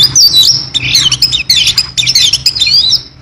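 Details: Oriental magpie-robin singing continuously: dense high twittering and warbled notes with quick rising and falling whistles, loud and close, over a faint low hum.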